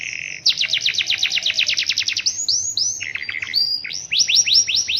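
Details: Canary singing energetically in the rainy season with a long roll: a fast pulsed sweeping trill, a brief low chattering phrase, then loud upswept whistled notes in quick succession.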